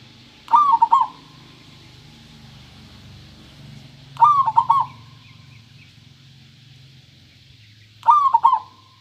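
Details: Local zebra dove with a clear voice giving three rolling, stuttered coo phrases about four seconds apart, each ending on a drawn-out note, over a low humming background and faint hiss.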